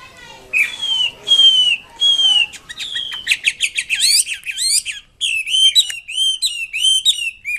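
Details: Wambi kembang mandarin in strong song: three long, clear, slightly falling whistles, then a quick jumble of sharp notes and a run of bouncy, repeated bright chirps.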